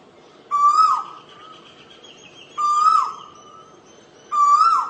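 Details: Asian koel repeating a loud, upslurred whistle three times at intervals of about two seconds, with a faint thin note from another bird in between.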